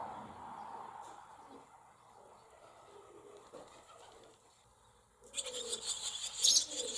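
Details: Barn swallow brood in a cowshed holding several nests, 28 July 2024: after five seconds of quiet room murmur with soft low cooing, a sudden burst of shrill, hissing high-pitched chick calls fills the last two seconds.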